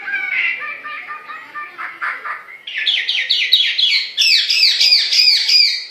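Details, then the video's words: A Chinese hwamei (Melodious Laughingthrush) sings a loud, varied song: rich warbled phrases, then rapid runs of repeated slurred whistles that climb higher in pitch toward the end. "Hwamei Bird Singing"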